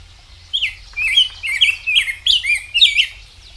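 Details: Rose-breasted grosbeak (Pheucticus ludovicianus) singing a fast, rich warbled phrase of sweet rising and falling notes, about three seconds long; robin-like but quicker and smoother.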